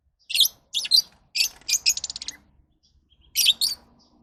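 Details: Lovebirds giving rapid, scratchy high-pitched chirps in quick clusters, including a fast stuttering run of about six notes near the middle, then a final pair of shrill squeaks after a short pause.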